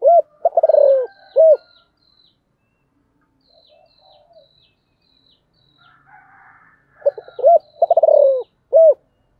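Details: Spotted dove of the sấm thổ type giving its gọi and thúc calling styles: a single soft hooting coo, then a quick run of low coos with a drawn-out fading note, a pause, then the same sequence again, with faint high chirps from other birds.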